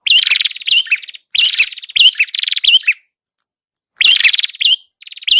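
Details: Prinia, called prenjak kepala merah, singing for use as a lure: bursts of buzzy, rattling trills with bright upswept whistled notes, coming in phrases about a second long separated by short pauses. Nothing else is heard.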